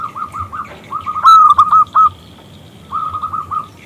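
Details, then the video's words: Local perkutut, or zebra dove, calling a male to answer: a soft series of quick notes, then a loud ringing burst of three or four clipped coos, then more soft rapid notes. "PERKUTUT lokal Gacor Suara BESAR Kristal Memanggil JANTAN ngajak BUNYI"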